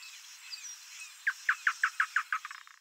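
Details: Male double-collared seedeater (Sporophila caerulescens), free in nature, a songbird of marshes and pastures, singing a quick run of about eight clear, even notes, roughly six per second, fading at the end over soft outdoor hiss.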